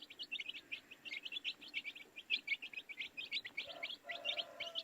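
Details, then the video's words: Baby chicks chirping: a dense stream of short, high, bright peeps tumbling over one another several times a second, with a lower drawn-out tonal note near the end. "Baby Chicks Chirping Sounds"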